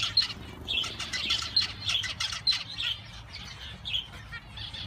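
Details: Several male zebra finches chattering: quick bright nasal beeps and chirps repeated several times a second, mixed with soft wing flutter and low background hum.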